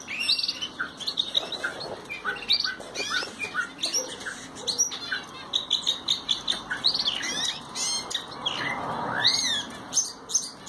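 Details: Singing Ocellated thrasher delivering a long, continuous string of varied phrases: chirps, slurred whistles and rapid rising and falling notes, some repeated in short bursts, with a constant high tone and light background noise throughout.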